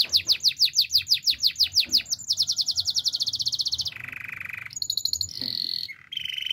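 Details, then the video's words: Canary song for training: a quick rolling series of bright repeated notes, then a faster buzzing roll, a lower harsh rattle and short high ringing phrases. "Canary training song"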